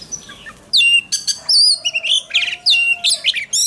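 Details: Oriental magpie-robin singing as contest training: a rapid, varied stream of loud whistles, trills and slurred notes, with a faint steady low whistle running beneath.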